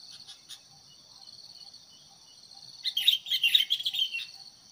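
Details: A sooty-headed bulbul decoy meant to provoke wild birds to fight, quiet at first and then breaking into a loud, tumbling burst of chirps near the end, with high insect drone throughout.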